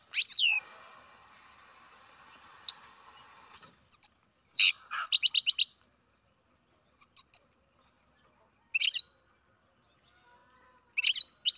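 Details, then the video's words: Captive-bred young European goldfinch calling in scattered bursts: high descending chirps, quick runs of four or five tweets, and short clicks separated by silent gaps, with a faint hum at the start. "Καρδερίνα εκτροφής μωρό (Goldfinch carduelis baby"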